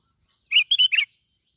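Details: Plain-backed sparrow from Binh Thuan, Vietnam, used as a lure bird, singing one short burst of four loud, bright chirped notes within half a second, followed by silence.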